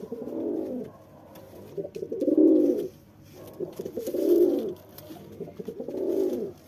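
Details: Male pigeon displaying to a female with four deep, resonant rolling coos, each rising then falling in loudness, repeated at roughly two-second intervals, with light scuffing noises in the background.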